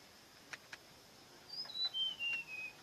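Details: After two soft clicks, a bird delivers a quick run of five pure whistled notes, each lower than the last, forming a clean descending phrase.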